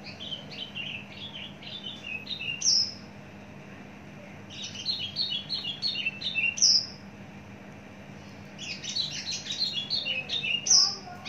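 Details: Caged Javan bush lark, a mature, long-kept bird with a very large body, singing three bursts of rapid, varied chirps and buzzy notes, each ending on a sharp high whistle, over a steady low hum.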